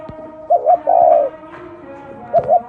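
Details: Spotted dove, 'thổ đồng' type, giving its gù coo: a brief two-note lead-in then a long, smooth hooting note, and another lead-in starting at the end, with a faint background hum.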